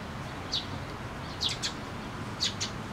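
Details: Sparrows coming to a post to be fed at a shrine on 26 June 2024; short high chirps in three bursts over a steady low background hum.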